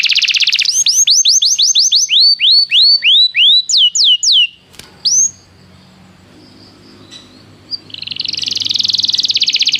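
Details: Training song to make a canary sing: loud repeated falling whistled sweeps that slow and grow more looped, a quiet gap with soft chirps, then a fast dense trill starting up.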